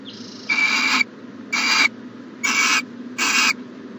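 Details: Four coarse, breathy screeches from an owl in a nest box, recorded the morning of 14 January 2020; the first is longest, about half a second, the rest shorter, coming roughly every second.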